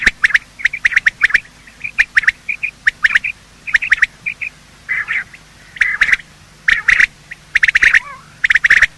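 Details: Morning calling of male and female quail, recorded for hunting use: dense runs of sharp clicks and brief rasping notes, with a few longer burry phrases midway.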